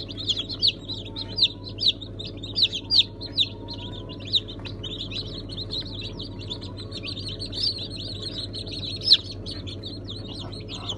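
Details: Mixed-breed chicks just hatched on 1 September 2019, including Brahma, Sultan, İspenç and Ameraucana, chirp in a dense high chorus with a few louder sharp peeps standing out, over a steady low hum.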